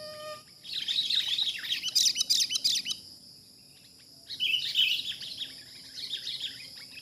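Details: Excited chirping from a wild sooty-headed bulbul during trapping, a loud chattering spell, a silent pause, then another rippling flurry, with constant high insect noise throughout.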